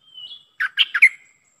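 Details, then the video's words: Streak-eared bulbul call used to lure wild birds: a faint drawn-out whistle, then four quick, gurgling chatter notes, the last one bright and fading. "Suara pikat merbah lekir"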